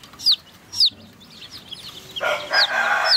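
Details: Baby chicks drinking water: a few sharp, high, falling peeps, spaced apart, with a patch of broadband rustling or splashing in the second half.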